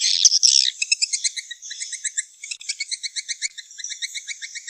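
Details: Swiftlet sounds for beginners in the nest-house trade: a short burst of buzzy chatter gives way to rapid, evenly spaced tinny chirps, about three per second, continuing to the end.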